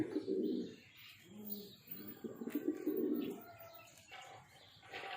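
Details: Breeding pair of pigeons giving low, throaty coos in irregular bursts, a few loud rumbling phrases among softer murmurs and faint background noise.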